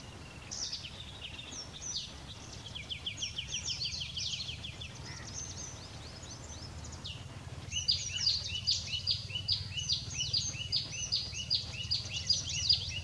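A White-naped tit gives two bursts of quick, thin, high notes, repeated two or three times a second, over a low steady rumble.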